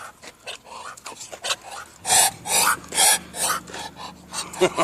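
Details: A duck that could not quack, hissing while attacking the camera: harsh, breathy rasping bursts repeated about twice a second, with a man apologising and backing away.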